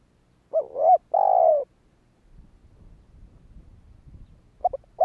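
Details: Spotted dove calling to entice wild doves to answer; quick short notes run into a long downward coo, then a few seconds of low rustling before the next phrase begins.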